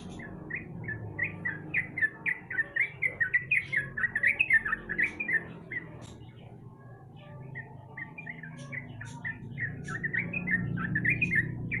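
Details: Lure sound of a sooty-headed bulbul meant to make a lazy singer call: a fast burst of clipped, slurred notes building loudly, a quieter gap, then more scattered chirps with rising background noise.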